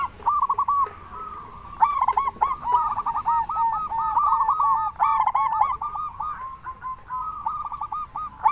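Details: Local zebra dove calling loudly to provoke other zebra doves to reply: near-continuous rolling cooing notes in quick runs, louder strong phrases now and then, other doves cooing behind.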